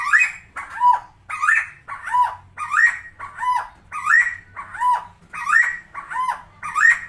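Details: Tame helmeted friarbird, the koak kao of West Nusa Tenggara, calling steadily: loud harsh nasal two-part squawks repeated about every 0.7 seconds, rising then dipping notes alternating through the whole stretch.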